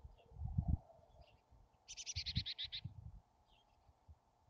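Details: Calls at a wild chickadee nest cavity near Emigrant, Montana, in July: one fast burst of about eight high, buzzy repeated notes lasting about a second, with low bumping and scraping sounds before and after.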